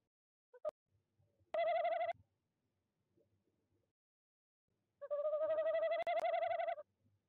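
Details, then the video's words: Wild tawny owl visiting nest box 1 at De Mortel on a January evening, 19:33, during breeding season, picked up by a nest box livestream microphone: two quavering, tremulous hoots with a rapid pulsing wobble, separated by near silence. "Bosuil bezoekt uilenkast 1, roept 19:33 CET"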